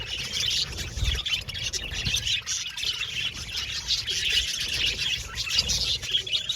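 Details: Many budgies chattering together in an aviary, bursts of shrill squawks and chirps swelling and fading over a low rumbling background.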